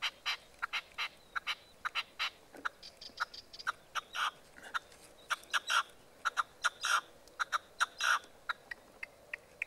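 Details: Common nightingale song recorded on 12 March 2015: a long, uneven series of short, sharp, broadband notes, with a brief high whistled passage early on and louder clustered notes near the end.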